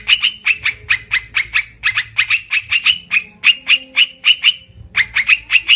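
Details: Trapping lure call of an Olive-winged bulbul, very clean: a steady series of crisp, ringing chips about four per second, grouped into short runs with brief gaps.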